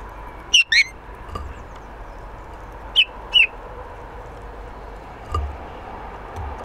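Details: A Eurasian bullfinch at a balcony bird house gives soft, piping, slightly falling whistles in two quick pairs about two and a half seconds apart, over a steady background hiss.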